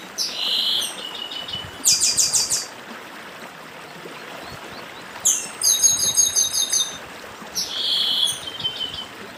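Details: Chestnut-bellied seed finch from northeastern Brazil delivering several separate bursts of fast high twittering and whistled notes, each under two seconds, spaced by brief pauses, with a stream running constantly behind.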